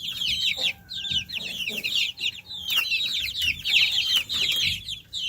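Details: Chicks peep loudly and continuously, a crowded flurry of thin, sliding high notes, with a faint steady tone briefly audible early on and some low background rumble.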